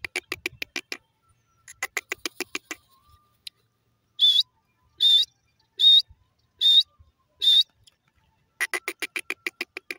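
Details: Wild grey francolin calling: bursts of quick, sharp clicking notes, then five loud, ringing whistled notes spaced under a second apart, then another fast clicking run, in quiet surroundings.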